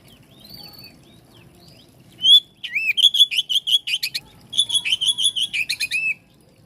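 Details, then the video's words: Song of an Oriental magpie-robin, meant to trigger replies from other magpie-robins: soft scattered notes, then two energetic bursts of rapid, evenly repeated sharp whistles with bright chirps, separated by a short pause. "Kacer jenis apapun jika dengar suara ini langsung RESPON"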